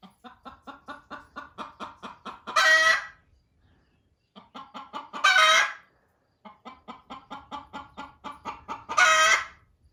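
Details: Hens that laid eggs in a barn, one clucking loudly at the other to leave the nest: three cycles of rapid clucks, each ending in a loud raspy squawk, about every three seconds.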